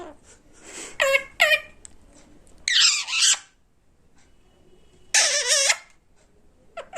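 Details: Talkative pet parrot indoors giving a few short squeaks, then two loud harsh rasping squawks separated by about two seconds of quiet, in a small room.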